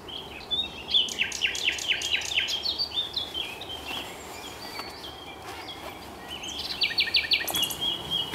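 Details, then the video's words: Common nightingales singing at RSPB Highnam Woods, Gloucestershire, UK, 2 May 2012, one of several around: loud series of rapid repeated notes that swell and fade, quieter whistles between, then a fast pulsed burst near the end over soft background hiss. "Nightingales singing"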